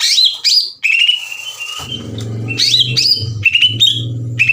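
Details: Greater green leafbird song played as a lure to stir other leafbirds. Bright whistled slides and chattering phrases repeat, while a steady low droning hum joins partway through.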